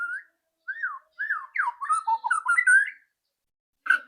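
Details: White-rumped shama's loud rattling song, used to get a bird singing quickly: looping rich whistled phrases sliding up and down, building into a dense stuttering burst, then a short pause and one sharp note.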